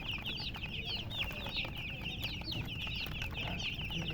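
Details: Baby chicks chirping nonstop: a dense chorus of many high, short, sliding peeps overlapping continuously, with a low steady rumble of background noise underneath.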